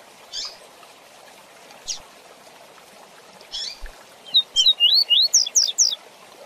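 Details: Rusty-collared seedeater singing the fast tui tui zel zel song for tutoring young birds: a few soft scattered notes, then a quick burst of rising whistled slurs near the end.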